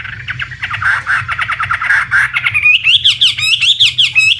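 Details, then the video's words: Chinese hwamei singing a loud, rich run of rapid repeated notes, first lower and churring, then rising into clear, bright whistled phrases, over a low hum. "Suara Burung Wambi (Chinese Hwamei)"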